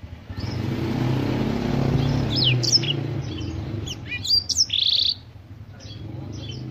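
A Black-throated canary sings a quick burst of high, thin chirps and twittering notes, set against a steady low rumble like passing traffic.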